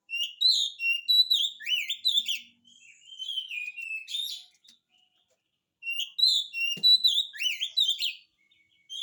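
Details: Oriental magpie-robin in full 'gacor' song, used as a lure to get silent magpie-robins singing: rich whistled phrases of rising and falling notes with sharp chirps, two bursts separated by a gap of near silence.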